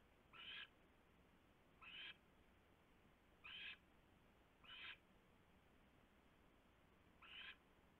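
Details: Owl perched on a nest tray at night, February 3, 2016, about 3:33 AM, after landing as another owl returned; five harsh, hissing screech bursts, each about a third of a second, spaced irregularly over steady background hiss.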